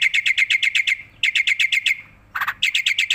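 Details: Tame black-winged myna in full song, head bobbing: quick strings of bright, sharp chirps repeated in bursts of seven to nine notes, separated by brief pauses, with one harsh rasping note before the chirping resumes.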